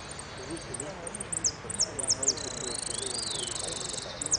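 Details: Contest hooded siskin from the Merlo winners' final, Amarillo Completo class, 13 01 13, delivering quick high chips that merge into a long, even, buzzy trill, set against faint crowd chatter.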